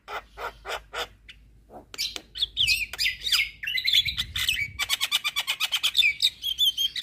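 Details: Javan myna, a champion bird chattering all day. A few spaced raspy notes lead into a varied run of whistled slurs and squeaks. A fast, even series of scratchy ticks follows, with more whistles at the close.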